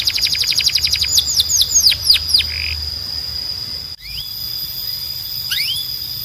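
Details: Timbrado canary training song: a quick run of repeated downward-sweeping notes that slows and ends in a brief low rattle, followed by quieter rising slurred calls and a steady high tone.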